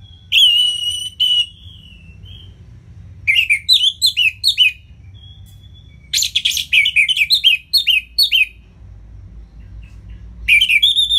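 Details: Ngeplong-style song of an Orange-headed thrush, played to encourage lazy birds to sing: repeated bursts of rapid, varied, high whistled and chattering notes with short quiet gaps, over a low background hum.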